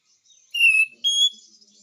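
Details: Two clear, high whistled notes from a Lemon-bellied White-eye, singing actively: the first slightly falling, the second a little higher and level, each about a quarter-second long.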